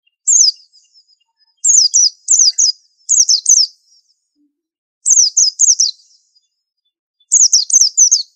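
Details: A white-eye sings clusters of two to four quick, high, down-slurred notes in an irregular rhythm, separated by short quiet gaps.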